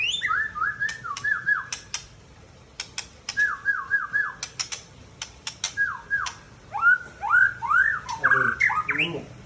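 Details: Mature male white-rumped shama from Tangse, Aceh, repeating short series of falling whistled notes in three bursts. Sharp dry clicks are scattered between the phrases. Near the end it breaks into louder rising, warbled phrases with lower twittering notes.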